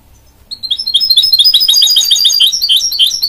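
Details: Mule bird from goldfinch and canary crossbreeding: after a brief pause, a fast continuous stream of high twittering notes, about three per second, bright and tinkling.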